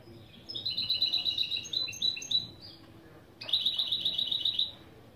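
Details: Goldfinch × canary hybrid song lesson: a twittering phrase of stepped trills shifting in pitch, a brief pause, then a steady, rapid trill of sharp repeated notes.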